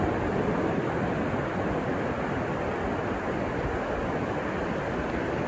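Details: Broad, steady roar of breaking ocean surf at a beach, with wind and no distinct animal calls.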